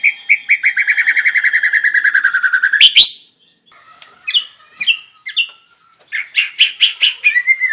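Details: White-rumped shama in vigorous song, used as a master recording to train other birds; a long fast series of repeated ringing notes, slowly falling, then a pause and a run of varied sharp whistles and rapid chattering notes.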